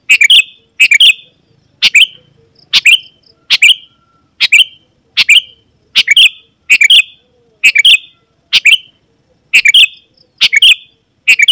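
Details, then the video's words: Sooty-headed bulbul in full song, a lure recording meant to draw wild rivals that answer and approach. Short bright chirpy phrases, each a quick burst ending in a falling whistled note, repeated about once a second, steady and insistent. "Suara Burung KUTILANG GACOR Memanggil Lawan Burung Kutilang Liar Auto Nyaut dan Mendekat"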